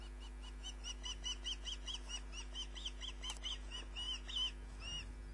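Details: Osprey at the nest, picked up by a live nest camera. Long, steady series of short, arched, whistled chirps, about three per second, fairly faint over a constant electrical hum.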